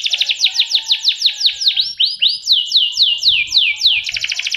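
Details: Canary singing steadily: rapid repeated tours of high, downward-sweeping whistled notes, slowing into longer swooping slurs, then ending in a fast buzzy trill.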